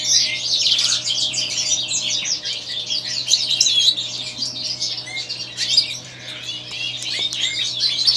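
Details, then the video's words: White-throated European goldfinch singing a rambling, tumbling twitter of rapid chirps and buzzy trills without pause, over a constant low electrical hum. "STIEGLITZ WEIßKEHLE"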